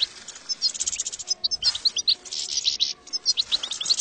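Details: European goldfinch song played as a proven lure for trapping goldfinches: rapid high liquid twittering with short bright chirps and tinkling notes, delivered in quick bursts with brief pauses.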